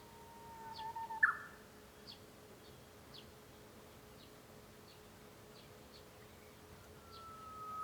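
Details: Japanese bush warbler, recorded from inside a home on 5 May 2013: a whistled note ending in a loud, sharp flourish. Soft high chips from another bird follow every second or so, and a new whistle starts at the end.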